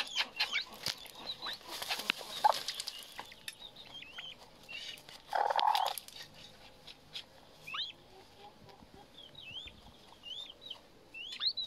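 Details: Himalayan monal chick heard with sparse, high twittering peeps, quiet at first amid rustling and clicks, then clearer toward the end as hooked, up-and-down notes come in small clusters.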